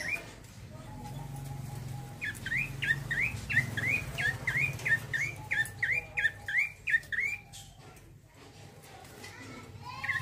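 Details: A male bar-winged prinia sings in a rolling, vigorous style: a fast run of about a dozen rising chirps in the middle, then scattered single notes, over a low background hum.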